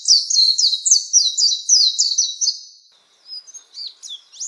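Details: Oriental white-eye song for tutoring caged birds: a quick run of high, sharp downslurred notes lasting about two and a half seconds, then a pause and a few scattered thin twitters, with no background noise.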